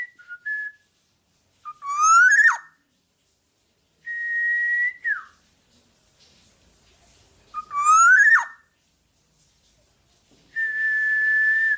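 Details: Black-naped oriole singing actively, recorded as a tutor song for training other birds: loud fluty whistled phrases, a rising slurred whistle followed by a long level whistle, the pattern given twice against a quiet background.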